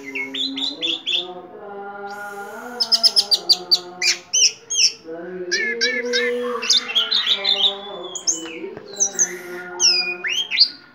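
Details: Orange-headed thrush with a leg ring singing vigorously: a long, varied medley of high sweeping whistles, clicking bursts and buzzy chatter, delivered almost continuously over a constant low hum.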